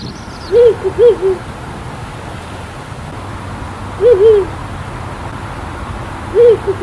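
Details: Ural Owl filmed in Nagano Prefecture, Japan: low hoots arranged as a two-part pair, then single hoots roughly every three seconds, each short with a rising-falling wobble, over steady low background rumble.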